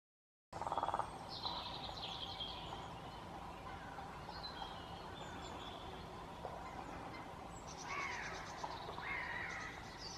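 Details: Lesser spotted woodpecker calling in Asker in April 2016, giving short runs of thin, high, evenly repeated notes over steady background hiss, with a few other faint bird notes.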